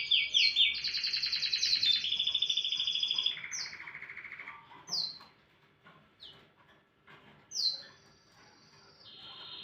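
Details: Canary singing in the morning, opening with bright rapid trill tours at shifting pitches, then quieter with isolated sharp downward-slurred notes spaced a second or more apart.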